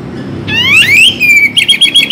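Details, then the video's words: Oriental magpie-robin (kacer) song used as a morning and evening training recording to liven up listless birds: a loud rising whistle sliding into a long clear note, then a quick run of bright, repeated warbled notes. "Bikin Kacer Lebih Bersemangat Untuk Berkicau"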